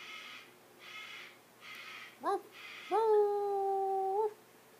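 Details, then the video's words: African grey parrot, a young pet still learning to talk, indoors: a few soft breathy rasps, a sharp rising squeak, then a long steady harmonic whistle that rises briefly at its end. "African grey talking"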